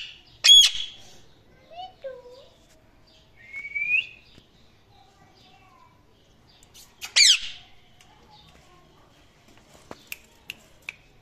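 Rose-ringed parakeet giving a sharp, loud screech, a few soft warbled notes, a rising squawk, then another harsh burst and small clicks.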